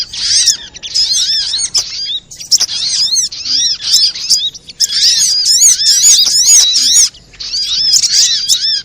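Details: Noisy sunbird chatter used as a lure: fast, high, arched chirps repeated in long, crowded bursts separated by brief silences.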